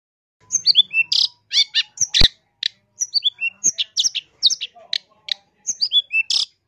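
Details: Long-tailed shrike pouring out a varied masteran for tutoring caged birds and luring wild ones: rapid clusters of high whistled chirps and downslurred notes in bursts, with one sharp click partway through.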